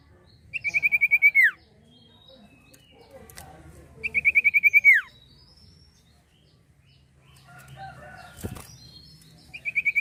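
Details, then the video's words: Common iora song, used as a lure for birds: fast whistled trills of about ten notes, each ending in a falling slur, repeated roughly every three seconds with a faint background hum. "sirtu gacor atau cipoh gacor"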